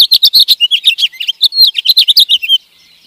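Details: Sparrow and goldfinch singing: a rapid, dense run of bright chirps, twitters and short slurred notes that flows without a break, then stops abruptly, leaving near silence for the final half second.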